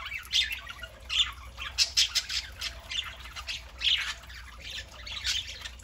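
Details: A group of pet parakeets on a Saturday morning, loud scratchy squawks and warbles rising in bursts roughly every second over constant background chirping.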